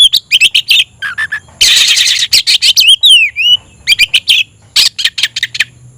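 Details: An oriental magpie-robin calls out a rival to fight with loud clipped chips in quick rhythmic clusters, a harsh buzzy burst, and one clear whistle dipping and rising.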